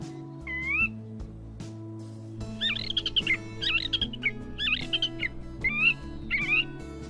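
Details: Catbird song full of mimicry, copying a Sora rail, Western meadowlark song, Wilson's snipe and a Pacific tree frog. Quick bursts of varied slurred, whistled phrases come one after another over steady background music.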